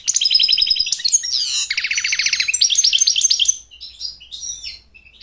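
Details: Rapid high twittering song of an American goldfinch, sung to court a mate and train chicks, with buzzy trilled runs and sliding notes that fade into softer scattered chirps toward the end.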